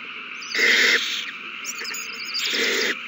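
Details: Owls at their nest on 21 March 2020, calling in a frenzy after one finds a mouse and hands it to another; two loud, harsh, hissing bursts about two seconds apart, with faint chattering notes between.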